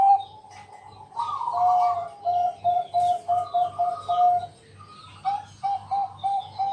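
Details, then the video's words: Night-time lure song of a Bangkok-type zebra dove, meant to set other doves singing. A quick string of short, even coo notes at one pitch, about two a second, after a longer opening phrase, with a low background hum. "Pancingan malam hari Perkutut Bangkok..Suara Penghilang Stress Burung Perkutut"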